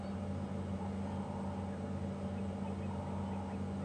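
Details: A vehicle engine drones steadily with a low hum on a safari drive at Djuma Game Reserve, and no animal sound is heard.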